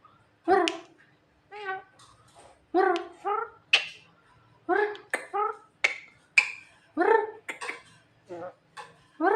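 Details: Javan myna, called clever and funny, mixes sharp snapping clicks with rapid nasal chattering notes and brief high squeals in an irregular, busy sequence.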